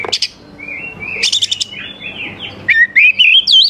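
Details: Oriental magpie-robin song meant to provoke young wild magpie-robins into singing: a sharp burst of chips, drawn-out sweet whistles, then a quick warbled run of looping notes.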